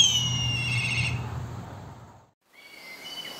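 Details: Black kite from Córdoba giving a quavering, trilled whistle that is cut off abruptly. After a brief silence, a thin, faint whistle follows, over a low background hum.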